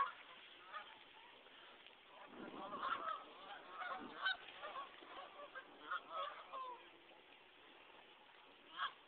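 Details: A flock of geese on a brook in West Concord, Massachusetts, honking through a January snowstorm, with repeated nasal honks clustered in loose bursts and a continuous hiss of wind and snow beneath.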